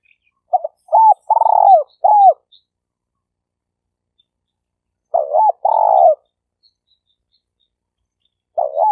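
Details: Spotted dove lure call used to train newly caught birds and attract wild doves, in a stuttering style: low cooing phrases of a few short notes ending in a longer rolling coo, repeated twice with a pause.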